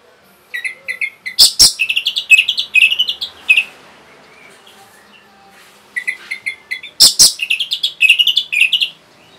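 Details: Orange-headed thrush pouring out two long, rapid phrases of tightly packed chattering and warbling notes with sharp clicks, a fast song meant to provoke rival birds into singing.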